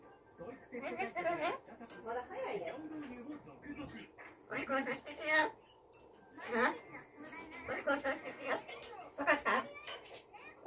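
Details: Pet blue-fronted amazon talking indoors, imitating human speech and a phrase meaning "be a good kid!"; a run of short, voice-like chattering phrases in bursts over about ten seconds, separated by brief pauses.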